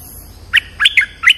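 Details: Bulbul call used to lure birds, Thai dok taeng style, also known as merbah lekir: four short bright chirped notes in 1.4 seconds, each a quick rising then falling whistle, over faint low hum.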